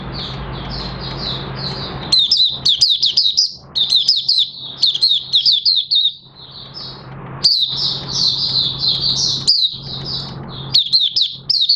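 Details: A captive Oriental white-eye (Zosterops palpebrosus), recorded 30 August 2022 as pigmentation of its new white feathers was nearly complete, sings a rapid, high, twittering warble in bursts of a few seconds with short pauses, over a low indoor hum.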